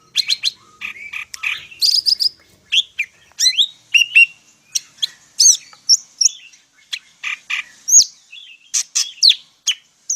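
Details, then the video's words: Energetic Medan greater green leafbird song rich in mimicked phrases, a ten-second stream of varied chirps, squeaks and quick whistled slides, changing pitch constantly with only brief gaps. "cucak ijo medan_gacor full isian"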